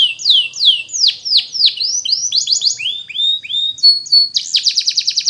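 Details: Belgian canary singing as a lesson for young canaries: a chain of loud falling and rising swoops about every third of a second, a held whistle, then a quick high rolling trill.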